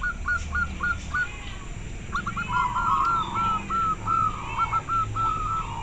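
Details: Local Indonesian zebra dove with an especially clear voice: bursts of short hooked notes, a brief pause, then a longer run of repeated notes over a low rumbling background.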